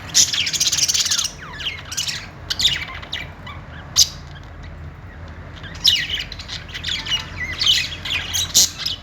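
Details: Budgies making happy sounds: dense scratchy warbling chatter at the start and end, with scattered chirps and sharp notes between.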